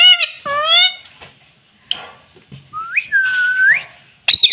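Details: Pet ring-necked parakeet that talks and says "mummy": a short voice-like harmonic phrase, then gliding whistles rising and levelling off, ending in a sharp squawk, in a quiet room.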